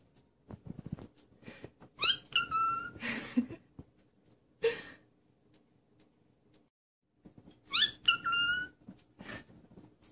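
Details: A cockatiel doing its "peekaboo" routine gives two clear whistled phrases about six seconds apart, bright tones sliding up and down, with harsh breathy bursts and rustling between them.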